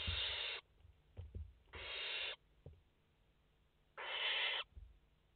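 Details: Barn owl chicks, five in the nest, on a live nest camera, 29 August 2021: three harsh, broad hissing bursts of about half a second, with soft low thumps and knocks in between.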